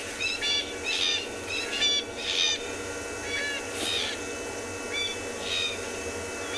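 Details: Distant Coqui francolins call on a morning safari in a South African game reserve, 10 October 2020, near curious lions; possibly an alarm call. High, squeaky, slightly harsh phrases every second or two over steady hiss.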